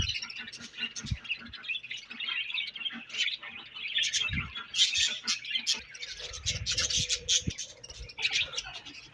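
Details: Many budgerigars of a colony chirp and warble in the morning, a steady scratchy high chatter with sharper bursts, over occasional low thumps and a faint tone.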